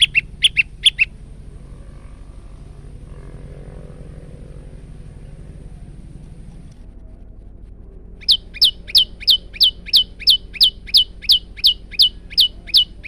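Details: Male moss prinia (prenjak lumut) in a training recording for cage birds: bursts of sharp, high chirped notes repeated about three times a second, a long quiet gap with low hum, then a steady run of the same chirps.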